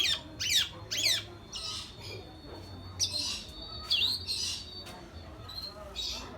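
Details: Long-tailed shrike, described as singing diligently: harsh, buzzy downsweeping notes in a quick burst of three, then scratchy chatter and thin high whistled notes, with a low steady hum underneath.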